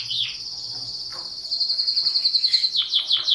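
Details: Canary singing a sustained high rolling trill of evenly repeated notes that grows louder, then breaks into quick chirped syllables.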